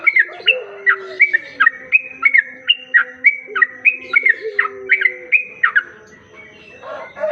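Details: Sooty-headed bulbul recording used as a lure for other bulbuls: a steady train of sharp, bright whistled notes, about three per second, stopping near the end, with low level tones running underneath.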